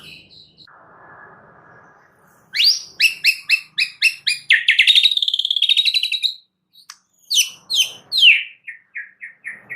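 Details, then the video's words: Very active White-rumped shama delivering a loud series of sharp, rapidly repeated high notes, a trilling stretch, then more bright whistled notes after a short pause; faint background hiss at the start. "Audio Gacor MURAI BATU Extra Rewel Cukup 1 Burung"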